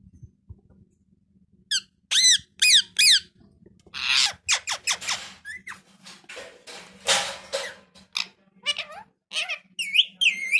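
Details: Parrot, described as talking, chattering indoors: sharp looping chirps, then a long stretch of rapid harsh rasps and mixed notes, ending in more whistled, bending calls, steady low hum beneath.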